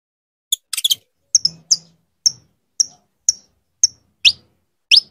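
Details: Persistent calling of a female saffron finch inviting her male to mate, a steady series of bright, high, downslurred chips after a short rattling burst, the last notes sweeping upward more strongly.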